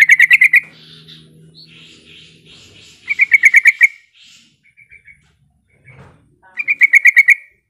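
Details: Sooty-headed bulbul calling out to a rival, used to lure other bulbuls into calling: three bursts of rapid bright chattering notes, each about half a second long, separated by pauses with soft buzzy sounds and a low hum between them.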